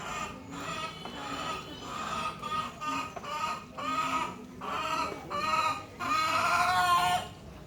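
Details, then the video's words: A hen clucks in a run of rough, nasal calls, about one every second, building to a longer drawn-out cackle near the end. "মুরগি দেখো কিভাবে ডাকাডাকি করে"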